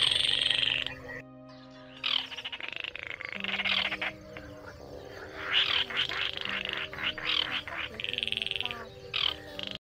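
Baillon's crake giving dry, frog-like rattling calls in bursts, with a faint steady electronic hum underneath.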